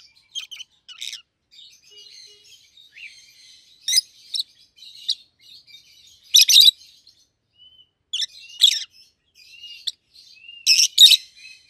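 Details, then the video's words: Two healthy pet rosy-faced lovebirds, yellow and green with red heads, keep up steady chattering: low buzzy twitter broken by loud harsh chirp bursts every couple of seconds. "Lovebird's Sounds - Lemon & Melon - Rosy-faced Lovebird"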